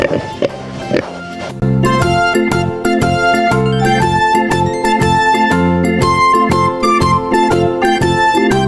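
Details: Upbeat instrumental music with keyboard, piano and plucked guitar playing steady repeated chords; no animal voices.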